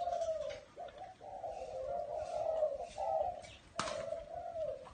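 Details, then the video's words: Low, breathy coo phrases from a spotted dove in a small garden, strung together in a long series with short breaks, a sharp click near the end and distant bird chirps. "Tiếng Chim Cu Gáy"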